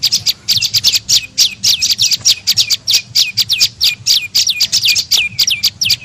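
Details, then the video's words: Lure call of the prenjak lumut, a tailorbird, played to draw birds in: rapid runs of high notes that each drop into a short hooked tail, about four per second, continuous. "SUARA PIKAT BURUNG PRENJAK LUMUT"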